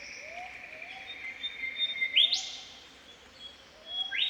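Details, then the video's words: Australian Golden Whistler in spring bush: a long steady whistle snaps into a sharp whipcrack-like upward sweep, repeated at the end, with faint low rising calls of another bird behind. "Golden Whistler Call - The sounds of an Australian Golden Whistler singing in spring."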